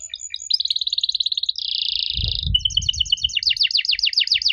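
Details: Canary song played to coax young canaries into answering: quick high pulsed tour, a harsh flat buzzy roll, then fast descending slurred notes repeated several per second, with some low background noise.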